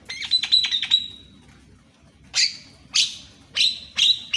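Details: Morning Javan myna song for training birds that seldom sing: a quick cluster of whistled notes ending in a held tone, a pause, then four loud harsh squawks spaced about half a second apart.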